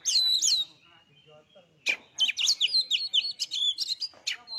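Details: Kacer singing as a provocation lure: two bright whistled notes, a pause, then a fast chattering string of sharp chips and whistles repeated several times a second.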